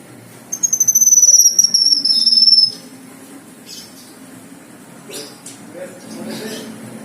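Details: Black-winged myna song: one loud, high, thin whistle lasting about two seconds and falling slightly, over a fast train of pulsed chirps, then quieter scattered notes.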